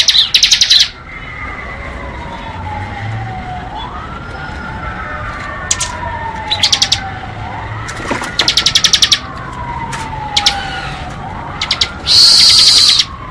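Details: Bar-winged prinia singing in the ngebren style: harsh, loud buzzy bursts alternating with rapid clicking trills, with a slow, siren-like rising and falling tone in the background.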